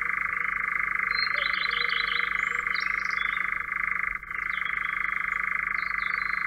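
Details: In Central Russia, a European nightjar churrs in one unbroken, mechanical trill held at a steady mid pitch, while higher twittering notes from other birds come and go above it.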